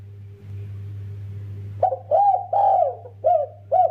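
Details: Spotted dove, a kept bird, giving a consistent double coo: after nearly two seconds of low hum, five throaty rounded coos follow in quick succession, some longer and drawn out, others short, over a steady low background drone.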